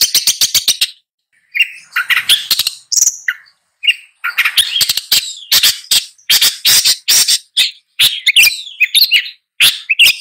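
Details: Long-tailed shrike song: a jumbled mix of rasping bursts, short rattles and brief whistled fragments, delivered in irregular phrases separated by short pauses.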